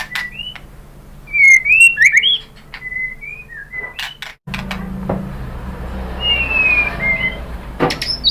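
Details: White-rumped shama lure song to make other birds answer: a run of clear slurred whistles and sharp clicks, then a fainter pair of whistled notes later over a slightly noisier background.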